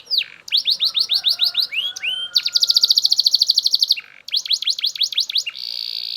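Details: Loud Belgian canary performing quick repeated upward-sweeping notes, a rising slur, a long rapid trill, a brief pause, then further swept notes and a steady buzzy tone.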